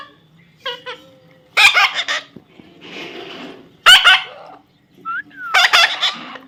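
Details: Baby parrot making harsh rasping squawks mixed with short soft whistled notes and one rising then falling whistle, with a brief hiss between calls.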